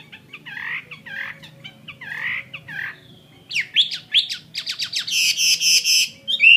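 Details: Fighting-type caged Chinese hwamei (họa mi chiến) delivers varied song: soft slurred notes, then sharp downward whistles, ending in loud harsh rasping bursts repeated about once a quarter second.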